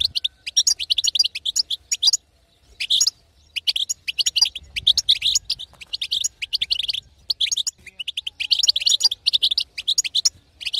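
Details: Batbata twitter of a female European goldfinch to excite a silent male: long bright chattering runs of fast, high, tinkling and buzzy notes, interrupted by a few clear pauses.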